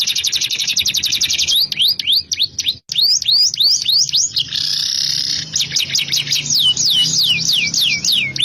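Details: Canary singing continuously with a rich, varied song: a fast high buzzy trill, then loud downward-slurred whistles in quick series, a sustained buzzy note, and more sweeping whistled notes. Faint low music plays underneath.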